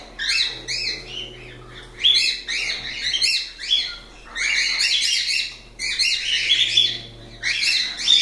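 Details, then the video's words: Pet cockatiels kept indoors, singing in bursts of dense, high chirpy chatter and warbling squeaks, each phrase about one to two seconds long with brief pauses between, several overlapping voices, and a faint low hum behind. "Calopsitas Live de Agradecimento aos 500 Novos Inscritos Canto dos pássaros ASMR"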